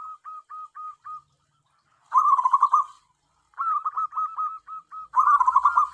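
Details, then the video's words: Local zebra dove used as a decoy to lure wild doves; short evenly spaced coo notes, then dense rolling trilled bursts alternating with strings of hooked coos, clean background. "BURUNG PERKUTUT AMPUH UNTUK PIKAT (PERKUTUT)"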